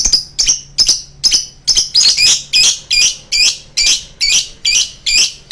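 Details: Lovebird delivering a long choking bout: a steady run of harsh, shrill, high chattering notes, roughly two per second, growing louder and denser midway and continuing without pause.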